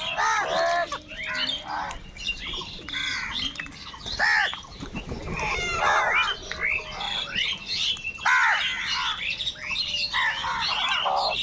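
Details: Huge crowd of crows squabbling over food, giving continuous overlapping hoarse caws and cries, several birds calling at once throughout with barely a pause, forming a noisy, dense chorus.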